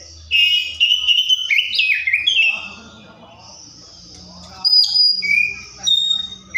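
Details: Oriental magpie-robin giving rich whistled phrases that slide downward in steps. A quiet pause follows, then high thin whistles and short sweet notes resume.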